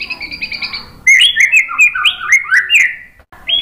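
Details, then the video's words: White-rumped shama singing to provoke rivals: a soft, buzzy high trill, then a loud burst of fast, tumbling whistles and chirps that rise and fall. "MASTERAN MURAI BATU memancing EMOSI jadi NYAUT GACOR"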